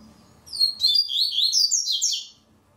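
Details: Double-collared seedeater singing in an online singing tournament stage; one bright strophe of quick, sweet slurred whistles rising and falling, starting after a short quiet pause and running about two seconds, with faint low room hum beneath.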